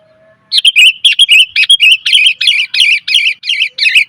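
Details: Female sooty-headed bulbul calling to draw in males, used as a lure recording: a loud, continuous run of rapid bubbly chirps, rising and falling notes packed closely together for about three and a half seconds.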